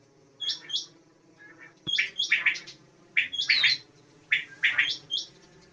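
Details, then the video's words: Common quail calling in quick groups of sharp, high, clipped notes, the groups coming roughly every second, with softer lower chirps between them and steady low background noise. "bedana sayrashi Batair chinka ki awaz batair rain Quail mix sounds"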